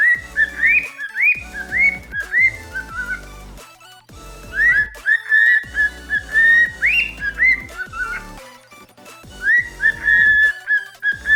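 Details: Indoors on a dark, rainy afternoon, a normal pied cockatiel and an albino cockatiel, waking from sleep, whistle short rising and falling tune phrases, including the Mickey Mouse March, with brief pauses, over soft background music.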